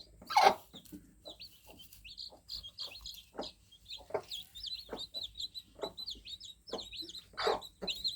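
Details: Baby chicks just out of the egg cheep in high, thin, slightly wavering notes, sparse at first then bunching into short runs, with occasional loud scuffing bursts and dull knocks.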